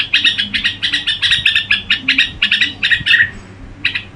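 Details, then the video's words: Red-whiskered bulbul in gù song style: short, bright chirping phrases repeat several times a second, then drop into a brief pause before one last note. A faint low hum sits underneath. "Tiếng Chim Chào Mào Gù Quá Hay"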